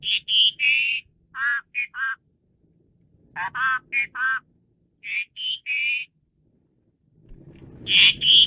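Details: Asian pied starling singing in short clusters of harsh, nasal, croaking notes mixed with brighter whistles, grouped in bursts of three or four with brief gaps, ending over a soft rustling background.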